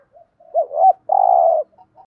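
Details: Spotted dove phrase used to encourage other doves to call, with a soft lead-in note, a rising-falling hooked double note and one long buzzy coo, then faint trailing notes.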